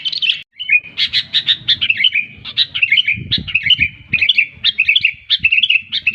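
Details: Lively sooty-headed bulbul song, evenly spaced bursts of bubbly chirps and slurred notes repeated about twice a second, with some low thumping noises in the background midway.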